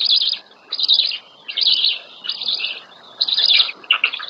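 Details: Nest of black storks in Łódź, Poland, on 27 May 2020, as the female brings the chicks their first breakfast: dense, high, scratchy twittering phrases alternate with brief pauses, about five bursts in four seconds.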